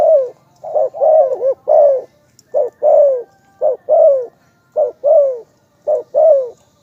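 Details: Spotted dove giving a luring call: a busy run of mellow cooing phrases, short clipped notes leading into fuller downslurred coos, repeated about every second, clear and close against a quiet background.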